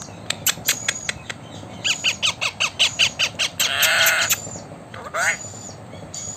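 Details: Blue Indian ringneck parakeet, a talking bird, giving an evenly spaced chain of short squawks followed by a longer harsh screech and a faint whistled slide, before words such as "welcome" and "thank you".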